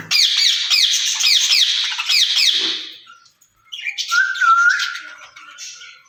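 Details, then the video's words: Caged rose-ringed parakeets, two birds said to talk to each other in Urdu and Hindi; fast, harsh repeated screeches for about three seconds, a pause, then a whistled note with softer chatter. "Speaking Parrots in Cage"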